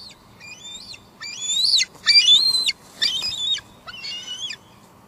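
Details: Female bald eagle at a Two Harbors nest, July 2022, live nest cam, squeeing and calling while leftover food sits on the nest; five high, thin squealing notes with wavering pitch, bunched in short bursts, over a steady low hum.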